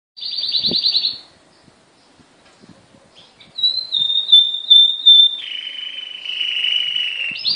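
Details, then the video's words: Blue and white Timbrado canary singing: a short buzzy trill, a pause with faint clicks, then long sustained whistled notes held steady before dropping to a lower rolling trill, ending on a brief higher burst. "Blue and white timbrado"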